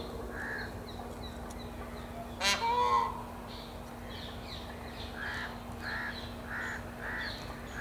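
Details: Indian peafowl alarm call in forest, warning that a predator, probably a big cat, is on the prowl: a sharp burst followed by a short, loud, harmonic honking note, with softer repeated calls of other birds around it.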